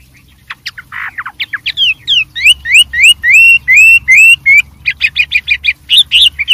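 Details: Wild white-rumped shama singing energetically with many varied phrases: short chirps give way to a fast run of clear, rising, slurred whistles, then a quick series of sharp repeated notes.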